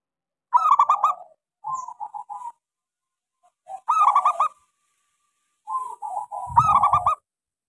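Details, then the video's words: Local zebra dove with a small voice, used as a lure song to get silent doves singing: a fast stuttered burst of ringing notes, then softer rolling coos, the phrase repeated about every three seconds, with a faint low thump near the end. "Suara pancingan Perkutut lokal gacor suara kecil sangat cocok buat terapi kutut macet."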